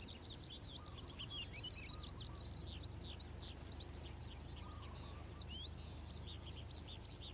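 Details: Calandra lark morning song: rapid, crowded bursts of sharp high chirps and short trills flow without break, with a faint lower twitter and constant low background rumble.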